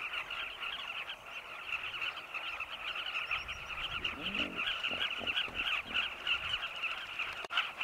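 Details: Carmine bee-eaters flying in flocks at sunset around their nests in a cliff in Zambia, hunting insects to feed chicks waiting in long tunnels. A dense chorus of rapid, buzzy, rolling calls, with a few low thumps midway.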